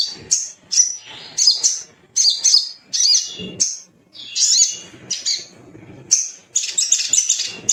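A little spiderhunter gives bursts of sharp, very high chipping notes, about one burst a second, in quick uneven runs.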